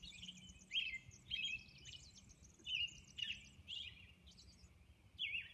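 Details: Dawn song of a robin on Orcas Island, a run of clear whistled phrases, each a slurred up-and-down note, coming roughly twice a second with a soft background rumble.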